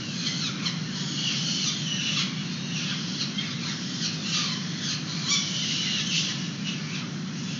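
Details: Peregrine falcons feeding young outside a San Francisco nest box, 29 April 2021, captured on a live webcam; a string of grating, squawking high cries rises and falls through several seconds above a continuous low rumble of city traffic.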